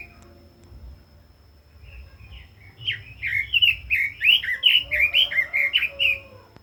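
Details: Red-billed leiothrix, a kept cage bird, starting with faint soft notes, then launching into a loud sequence of some fourteen quick rising-falling warbled whistles, delivered in an even, lively rhythm, with a faint steady high tone in the background.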